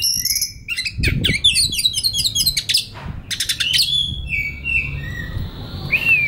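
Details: Relaxed singing of a white-rumped shama, a master recording for training young wild birds; quick chattering trills and rattles at first, then slower, clear whistled notes toward the end.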